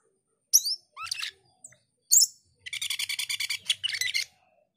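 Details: Actively singing male cucak keling mixes high whistled upslurs with a fast, even series of clipped, buzzy notes, each run separated by short pauses.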